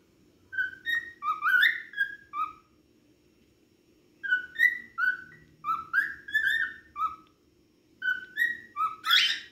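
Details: Cockatiel singing a lot, pouring out bursts of bright whistled notes in quick runs, each run several seconds long with brief gaps, ending on a sharper screechy note. A faint low hum lies underneath.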